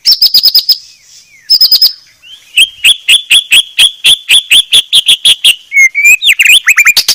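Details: Clear tutor song of the white-rumped shama: fast high chips, a brief pause, then a long steady series of evenly spaced notes, ending in a few twisting whistles.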